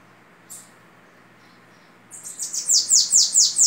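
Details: Bananaquit, babaçu type, in Belgian-style singing; a single faint high chip, then after a pause a phrase of high, rasping downslurred notes that grows louder toward the end.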